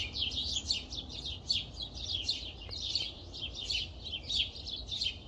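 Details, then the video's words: Early-morning chorus of numerous birds in Las Vegas in April, calling loudly from before 4:30 until about 6:10 am; unbroken high chattering and rapid chirps from many overlapping voices, with faint low hum beneath. "Deafening Birds April 4 0600 in Las Vegas, was louder at 0409 stopped 0610"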